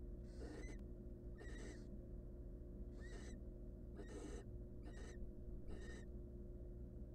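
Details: Begging hungry nestlings of a wild barn owl family in a camera-monitored nest box: six rough hissing snores, each under half a second, spaced roughly a second apart, with a steady low drone beneath.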